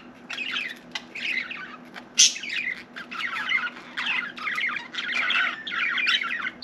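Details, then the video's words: A domestic budgie keeps up steady scratchy warbling chatter with frequent short breaks and one sudden high squeak, faint hum in the background. "Budgie Sally Bird Wants to Talk"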